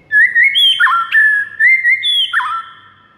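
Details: White-rumped shama song for training caged birds in the morning: rich, smooth whistles that rise and fall, with quick downward slurs between longer held phrases.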